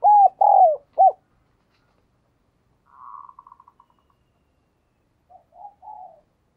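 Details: Spotted dove used as a decoy, calling: a loud phrase of three hooting coos, then a soft, fast stuttering trill that fades out, and a few quiet, muffled coos.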